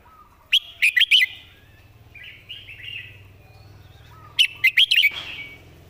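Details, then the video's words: Red-whiskered bulbul, a caged tutor bird with clearly placed notes and good phrasing, sings two crisp four-note whistled phrases a few seconds apart, with quieter chatter between. "วางคำชัด"เดินสำนวนดี /นกครูเพลง"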